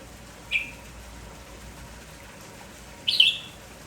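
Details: Village-type red-whiskered bulbul, lively in the morning and calling without pause: two short bright chirped bursts, the second louder and more warbled, about two and a half seconds apart over quiet background hiss.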